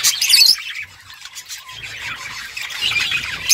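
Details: Playing budgerigars: a loud harsh squawk opens, then a quieter pause, followed by renewed soft warbling chatter building toward the end.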